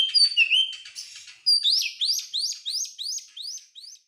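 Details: Oriental magpie-robin (kacer) song used as a lure to get other birds singing. It opens with mixed whistled and buzzy notes, then runs into a quick series of about nine repeated, sharply rising slurred notes, with no other sounds.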